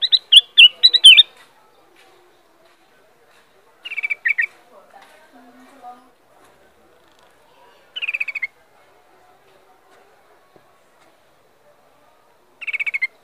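A Black-crested Bulbul gives a tumbling run of bright chirps, then short, slightly falling warbled phrases about every four seconds against a quiet background.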